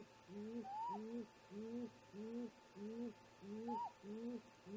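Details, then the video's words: Great grey owl pair talking at a snag nest in the early hours, about 04:25, on a nest cam: a steady run of deep, low hoots, roughly one every second, with two higher rising whoops laid over them. "Great Gray Owl - Parents Have a Talk"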